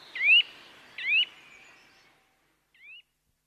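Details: Bird chirping: two loud rising chirps close together, then near silence and one fainter chirp at the end.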